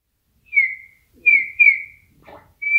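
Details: A wild Eurasian bullfinch singing in nature gives soft, pure piping whistles, each sliding slightly downward, four notes in under three seconds, with a faint rustle between them.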